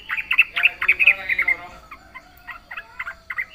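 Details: Yellow-vented bulbul giving a fast jumble of bubbly warbled notes, then a sparser series of short chirps.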